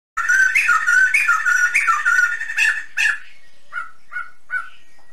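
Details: Sumatran laughingthrush (Garrulax bicolor) giving a rapid, chattering run of rich whistled notes for three seconds, then three short separate whistled phrases spaced under a second apart.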